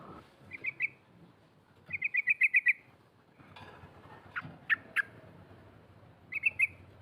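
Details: Female sooty-headed bulbul rattling to call rivals: short chattering bursts, one of about seven rapid notes, with a few sharp louder clicks, all set against a noisy, hissing background.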